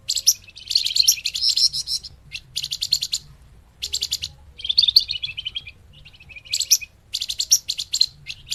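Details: Flamboyan, the scarlet-headed flowerpecker, as a trapping lure: sharp, very high ticking trills delivered in quick bursts, some stuttered and some drawn out, with short gaps between; a steady low hum runs beneath.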